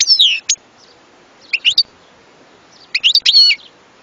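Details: European goldfinch giving three short bursts of twittering, high chirps separated by pauses of about a second, with a clear background.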